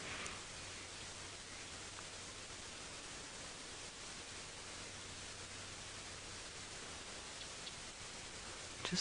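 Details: Only a steady, soft hiss of background noise with faint rustling and a click near the end; no animal calls are heard.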